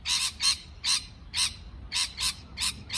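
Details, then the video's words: Harsh parrot chirps repeated in a loose series of eight, grating and buzzy, with uneven spacing and a slightly quicker pair near the end. "美丽的鹦鹉鸣叫beautiful parrot chirping sound call"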